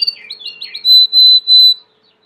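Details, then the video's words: Domestic Belgian canary song opening with quick falling chirps, then three loud, long, steady whistled notes in a row before stopping; faint background hum. "COMO FAZER SEU CANARIO CANTAR MUITO 20 MINUTOS DE CANTO"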